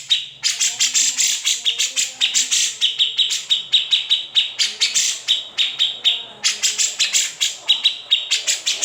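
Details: Cucak jenggot, the grey-cheeked bulbul, in an unedited master recording for tutoring songbirds; after a brief quiet start, rapid strings of harsh, crackling high chips ride on a sustained piercing tone, pulsing about four to five times per second.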